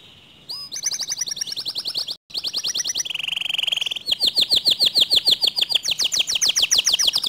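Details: A canary's varied song, said to provoke other canaries into singing: rattling trills, a smooth low buzzy roll, then faster rolling trills that climb higher in pitch.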